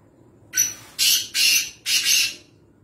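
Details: Black francolin from Nawabshah, Pakistan, giving a harsh, scratchy call of four broad rasping notes over about two seconds, the later ones longer and loud, over a low steady background hum.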